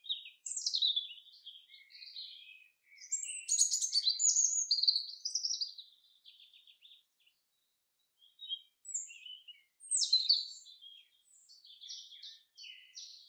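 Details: Common chaffinch singing repeatedly in a forest: several loud phrases of descending, rattling notes, each separated by short gaps, with a long quiet stretch partway through and softer chirps from other birds between.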